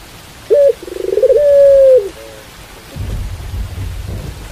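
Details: A pelung-style Barbary dove gives one coo: a quick upward yelp, a fluttering pulsed roll, then a long smooth hooting tone falling away. Steady rain and low thunder rumble take over afterwards.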